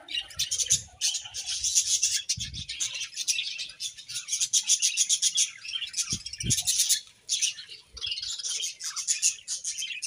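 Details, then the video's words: Happy budgies in a home colony chirp rapidly in a continuous, buzzy high chatter, pulsing in quick beats, with a few low thuds. "𝐇𝐚𝐩𝐩𝐲 𝐁𝐮𝐝𝐠𝐢𝐞 𝐒𝐨𝐮𝐧𝐝𝐬 | 𝐁𝐢𝐫𝐝𝐬 𝐒𝐢𝐧𝐠𝐢𝐧𝐠 | 𝐁𝐮𝐝𝐠𝐢𝐞𝐬 𝐂𝐡𝐢𝐫𝐩𝐢𝐧𝐠 𝐒𝐨𝐮𝐧𝐝𝐬"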